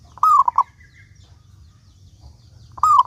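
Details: Local zebra dove song, a lure to make other doves sing: one full phrase, a drawn-out coo ending in two short pulsed notes, then the next phrase beginning, over a low rumbling background.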